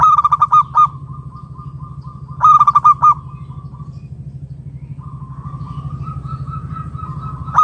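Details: Zebra dove, wild local bird, calling to get other doves cooing; two loud bursts of fast staccato notes, each trailing into a long level tone, over a constant low hum.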